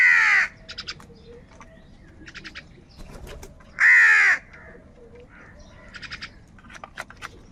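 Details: Crows calling in the morning while fighting over food: two loud, harsh, drawn-out caws about four seconds apart, with smaller birds chirping and ticking in short bursts between them.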